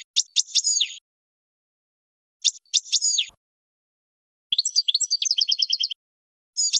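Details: Song of a European goldfinch for teaching young birds, in bursts separated by short pauses: quick high twitters and slurred notes, then a rapid jingling trill, in clean recording.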